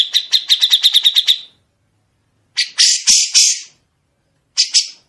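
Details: Grey-cheeked bulbul producing sharp, clear, long rasping phrases in a recording meant for songbirds to copy. A fast rattling trill of about a dozen notes comes first. After a pause there is a broad scratchy burst of chatter, then a shorter harsh note.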